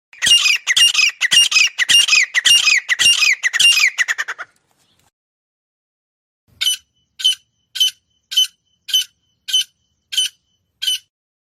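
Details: Female francolin, locally called teetar, giving a run of harsh, rapid squawking notes with a descending sweep each, about two per second for four seconds, then after a pause a series of short clipped notes at a steady beat.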